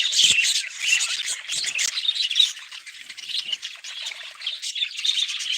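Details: Budgerigar flock chattering, louder high warbles and chirps in the first seconds, then easing into a softer, steady twitter of many birds.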